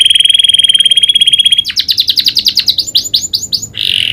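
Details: Canary singing with prinia-style clicking phrases: a steady rapid high trill for over a second, then a quick run of clipped chirps that slows into separate downslurred notes and a brief buzz.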